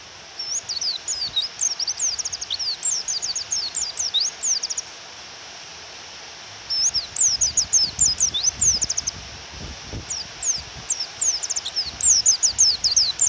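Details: Female pleci (Japanese white-eye) calling to provoke a male: bursts of rapid high slurred chirps separated by short rain-filled pauses, forming three main phrases.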